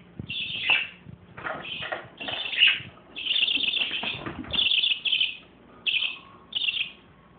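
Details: Parakeets with a baby parakeet chatter loudly in a series of scratchy, grating bursts, some clustered and some spaced apart, with brief sharp squeaks and faint lower whistles.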